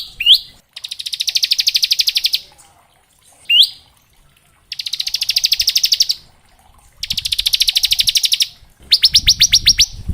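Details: Bar-winged prinia in ngebren song meant as a tutor for young prinias: an upslurred note followed by a dense, buzzy trill lasting under two seconds, repeated three times, ending in a string of clipped notes.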